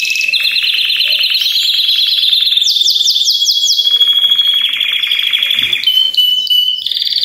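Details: Belgian canaries singing all together, a chorus intended to encourage other canaries to sing; continuous overlapping trills and rolls, with a burst of rapid falling whistled sweeps and a long even roll mid-way.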